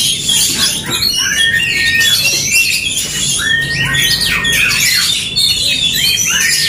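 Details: Aggressive duel between Oriental magpie-robins: overlapping scratchy squawks and chattering bursts, broken by long level whistles held for about a second, in a continuous loud stream.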